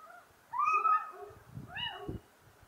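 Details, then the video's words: Little owl giving a drawn-out, mewing, cat-like note that rises then levels off, followed by a second fainter, shorter call, with low thumping sounds in the background. "Mochuelo europeo (Athene noctua) Canto"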